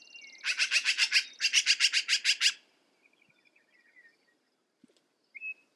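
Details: Black-billed magpie giving a harsh, rapid chatter: two bursts of about eight to ten grating notes each, spaced roughly a fifth of a second apart, followed by quiet with a few faint calls.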